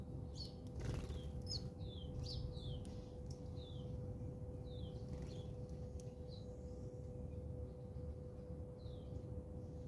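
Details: House sparrows battling in South Africa: short, sharp, downward-slurred chirps scattered irregularly through the stretch, some in quick pairs, over a constant low hum and background noise.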